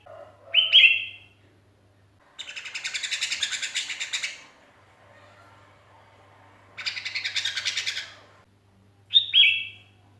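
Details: Sooty-headed bulbul, lonely and calling to its companions, recording meant as a lure: short bright whistled notes framing two long buzzy, rapidly pulsed chattering bursts, with a low hum in the background.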